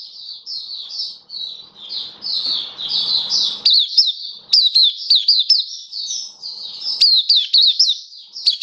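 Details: High-pitched twittering song of a caged Oriental white-eye, 27 October 2022: quick slurred whistles repeated about four per second, a smoother warbled stretch, then crisper sharp notes, over faint background noise.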